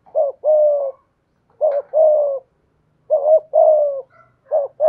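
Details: Spotted dove used as a decoy, cooing in the 'thổ' voice style: four mellow, low phrases, roughly one every second and a half. Each is a short rising note joined to a longer, level-then-falling coo, with nothing else audible.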